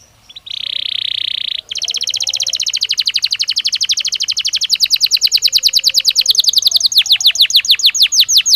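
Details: Belgian canary singing naturally, used as daily stimulus for training other canaries: a steady buzzing trill opens, then fast rapid-fire trills of clipped notes speeding into sharp descending sweeps, loud and clean against a quiet background.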